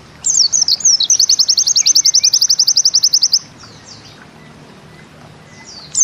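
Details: White-eye (pleci) singing in the bustomi style: quick high chirps lead into a rapid, steady zipper-like trill of evenly repeated notes for about three seconds, followed by faint chirps and a quiet background.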